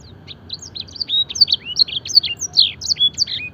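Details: Clear canary training song imitating blackthroat and edel sanger: it starts softly, then builds into loud, high whistled slurs and chirps that rise and fall rapidly, over faint background hiss.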